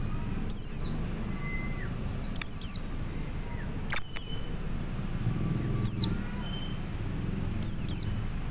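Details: Calling male white-eye aimed at other white-eyes: very high, thin, falling chirps, single or doubled, repeated roughly every one and a half to two seconds, with a faint level whistle in the background.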